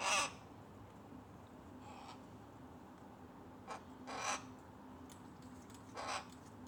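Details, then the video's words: A rook chick pesters its mother: a strong raspy caw opens, then fainter and shorter croaks, a drawn-out harsh call around the middle and a final hoarse caw, all over a low continuous hum. "Mom bird pestered by chick"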